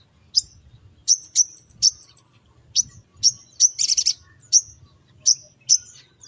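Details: Spiderhunter calling in the morning, used to lure small birds: repeated sharp high chirps at irregular intervals, with one brief buzzy burst midway.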